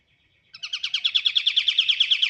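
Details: White-shouldered triller singing actively. A steady, rapid trill of buzzy pulsed notes, roughly seven per second, starts abruptly and carries on at even loudness.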